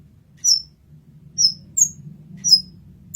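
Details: Kolibri ninja, or olive-backed sunbird, in a master recording: four widely spaced, thin, high, down-slurred chips over a steady low hum.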